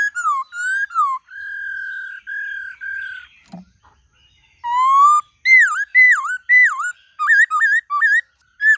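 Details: White-cheeked laughingthrush song in the many-voiced 'forest voice' style, played to train caged birds: clear whistled phrases, level held notes near the start, then quick looping up-and-down slurred notes after a brief pause, indoors and otherwise quiet.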